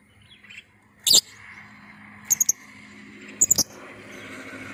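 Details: Lovebird luring call to prompt other lovebirds: three bursts of sharp, piercing squeaks, the later two each a rapid triple, over steady low hum.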